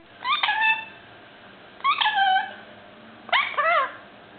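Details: Five-month-old male Indian ringneck parakeet, a pet kept indoors, starting to talk: three short harmonic utterances with bending, slurred tones, about a second and a half apart, each with a quick burst then a drawn-out falling note.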